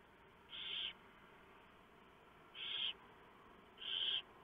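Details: Barn owls at a nest before dawn on 3 November 2015 as the male delivers prey and the owlets are fed; three harsh, hissing screeches about a second and a half apart.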